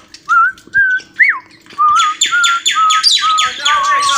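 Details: Cockatiel copying the tune 'Johny Yes Papa'. A few smooth whistles and one up-and-down swoop give way to a burst of repeated harsh, buzzy chirps.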